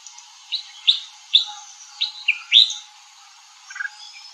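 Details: Red-whiskered bulbul in clear, separate whistled notes, each a brief upslurred or down-curving chirp, about six in quick succession followed by a softer lower phrase.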